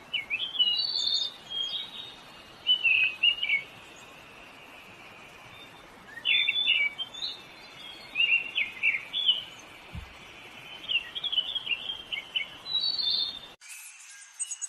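Puerto Rican oriole giving short, high, slurred whistled notes in scattered bursts over a steady background hiss.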